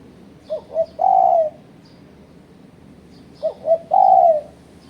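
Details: Spotted dove lure call for challenging rivals, repeated twice about three seconds apart, each phrase two short low coos then one long drawn-out coo, with faint high chirps from other birds.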